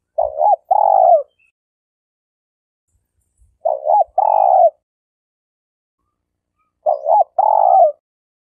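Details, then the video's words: Spotted dove trapping decoy, Malaysia: three evenly paced phrases roughly three seconds apart, each an upward-hooked double note and a longer falling coo, clean quiet background. "Suara Burung Tekukur Denak Padu Juara All Star"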